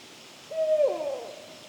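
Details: Adult barred owl in a local park at evening, calling near young owls: a single loud hooting note, steady then sliding down into a wavering, slurred tail, with quiet background.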